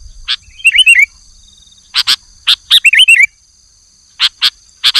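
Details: Male sooty-headed bulbul summoning a rival in the afternoon: two fluid warbled phrases with sharp clicks between them, then a few isolated clicks, and a faint steady high hum in the background.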